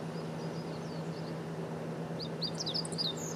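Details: Meadow bunting song recorded 9 June 2019 at Kosugenuma in Uozu, Japan: faint distant high notes, then a bright burst of rapid, sharply slurred whistles near the end, over a constant low mechanical hum.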